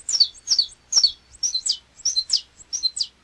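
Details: A Saffron Finch (canário-da-terra) from Brazil gives paired and tripled chirps. The high notes fall sharply and are grouped in quick clusters separated by short pauses.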